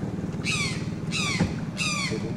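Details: Brown jays calling on the left during a boat trip, three loud harsh descending cries about every 0.6 seconds apart, each with a sharp downward-sliding tone, over steady low engine rumble.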